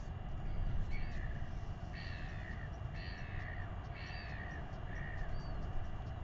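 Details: Royal albatross chick in New Zealand, fed by its father and weighed; short harmonic calls that drop in pitch, repeated roughly once a second five times, over a heavy low rumble of wind.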